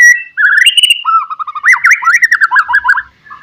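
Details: White-rumped shama delivering a lure song for rivals: a bright whistled opening, then a lower run of rapid rolling notes with zigzag up-and-down inflections.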